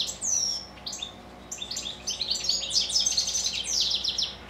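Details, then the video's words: Evening song of pet goldfinches: a sharp descending whistle opens, then scattered high chips build into a lively, jangling twitter from more than one bird. "Evening goldfinches song."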